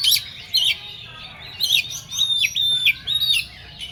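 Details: Oriental magpie-robin in agitated song: loud, clear whistled notes, some held and level, others dropping sharply, delivered in separate bursts every half second with brief raspy buzzes between them.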